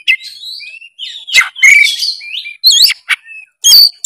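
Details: Loud, tireless oriental magpie-robin song in 'narung' style, meant to coax a quiet bird into song. Warbled whistles rise and fall, broken by sharp harsh bursts and brief pauses.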